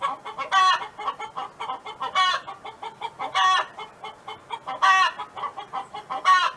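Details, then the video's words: A hen from a neighbour's farmyard sings a run of five strident, nasal squawks roughly every one and a half seconds, each separated by quick murmured clucks. "Chicken Hen Sound Effect"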